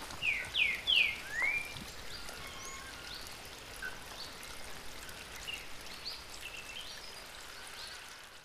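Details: A Blue Dacnis (Dacnis cayana) at Macuquinho's Lodge, Brazil, gives four thin, high, sharply slurred chip calls in quick succession, then falls quiet over a steady soft hiss like light rain.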